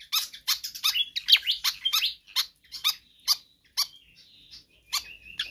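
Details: Energetic pied fantail singing, offered as a tutor or lure track. Quick squeaky chirps and downward slurs, with a few thin drawn-out whistles woven between the spaced notes.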